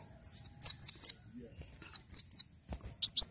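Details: Brown-throated sunbird in lively, persistent song, offered as tutor and lure sound: sharp, high, downward-slurred whistles given in quick runs of three or four, a pause, then another run, ending with brief buzzy chips.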